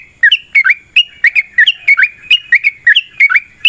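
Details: Long fighting song by a sooty-headed bulbul, used to prompt other birds into song; brisk run of bubbly two-part whistled notes, rising and falling, in near-continuous succession.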